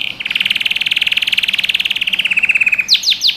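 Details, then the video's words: Canary singing in a recording meant to train young birds: a fast, buzzy trill of about fourteen pulses a second, slowly sinking in pitch for over two seconds, then a few steep, high, down-slurred whistles. "Canary Singing | Melodies Canary Bird Song"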